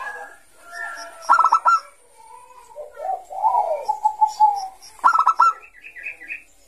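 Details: Bangkok zebra dove singing 'ngayer' style as a lure for young doves: a brief burst of crisp, high staccato coos, then a long, low, trembling rolled coo, then the bright burst again.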